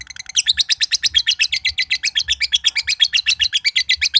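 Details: Long ngekek trill from a caged green (josan) lovebird kept for contests in Mojokerto, a song said to start other birds trilling; fast, even, scratchy high pulses stream on without pause for over three seconds.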